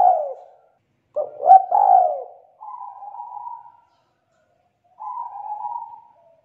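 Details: Spotted dove, a young bird taken from the wild, in full two-note 'kuk 2' song with a thick, loud, sweet voice: a falling coo, a stuttering double coo, then two long level hums with pauses.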